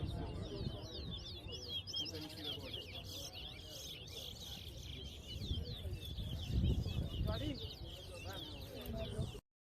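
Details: Large-billed seed finch, locally towa towa, singing in a whistling competition at Lamaha Street, Georgetown, Guyana: a dense, rapid run of high, slurred whistled notes over a murmuring crowd, with one louder voice midway.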